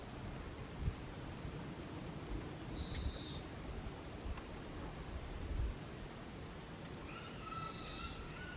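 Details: Japanese pygmy woodpecker at Jihōin temple grounds in Kasaoka City, heard following warbling white-eye calls: two brief high buzzy squeaks several seconds apart, the second joined by thin level whistled tones, over constant low outdoor hum.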